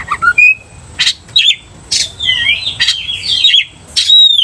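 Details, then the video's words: Oriental magpie-robin in full song, baiting another magpie-robin into agitation; clear whistled notes and wavering warbles broken by short harsh rasping bursts roughly every second, with brief quiet gaps. "cepat emosi Kacer dipancing kacer GACOR ini"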